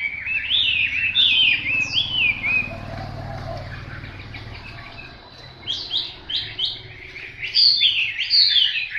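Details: Hwamei song in short bursts: rich, varied whistled phrases sliding up and down, a pause with quieter notes midway, then fresh loud phrases, with faint low hum beneath.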